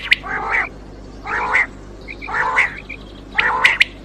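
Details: Quail calling, used for hunting at night: four buzzy, nasal churring phrases roughly one per second, each with soft whistled notes, over a low steady hum.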